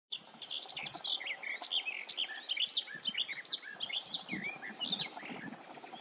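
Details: A garden warbler sings loudly by the water north of Tiengemeten (Vuile Gat) as a morning song: a long, fast, rich warbling of mellow, rapidly varied phrases, with other birds singing in the background.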